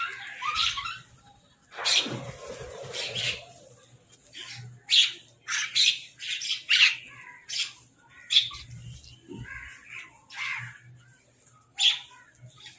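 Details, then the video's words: Crows fighting for food as they eat, giving a series of rough, harsh caws and squawks in irregular bursts, roughly one every second, some loud and some fainter, with a noisy scuffle early on. "Crow Bird Crowing Sound part 23 | Crow Eating Food"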